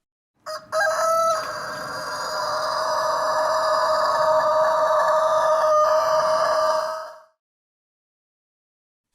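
A rooster gives a single long crow, a loud, harsh, ringing note held for about six seconds before it fades. No other sounds are heard.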